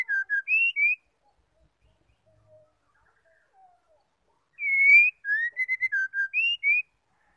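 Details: White-rumped shama female call for stimulating males to sing: a whistled series of short clear notes, a pause of near silence, then the full phrase again with a long note, rising slur, rapid notes and a high upswept finish.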